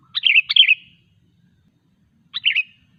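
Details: Sooty-headed bulbul singing persistently, a recording for coaxing silent bulbuls to sing: a rich, gurgling double phrase followed after a gap of over a second by a shorter bubbly one, clean and loud.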